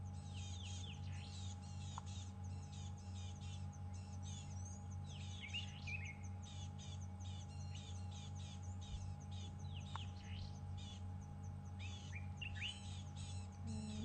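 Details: Neddickies, pale with a brown cap, give busy alarm calls, high chips and short twittering notes, repeated rapidly without steady rhythm, close by near a relaxed male leopard on an afternoon safari drive, over a constant low engine hum.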